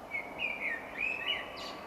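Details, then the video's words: Male Common Blackbird singing to defend territory and attract a female, played at an April talk in Monkstown, Dublin: mellow, fluty warbling notes that rise and dip, ending in a brief squeaky flourish, with constant room hiss behind. "hopefully this will play for you now you'll hear the song of the black bird"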